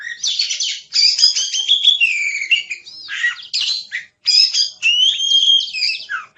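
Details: Oriental magpie-robin song: dense run of rapid, varied high chirps, trills and sweeping whistles, delivered in bursts separated by brief pauses, with no other sounds.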